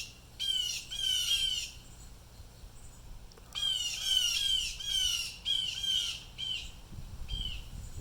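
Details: Distress calls from at least three agitated blue jays; rapid sequences of harsh, nasal jeer notes in bursts, a louder run in the second half, with a low rustle near the end.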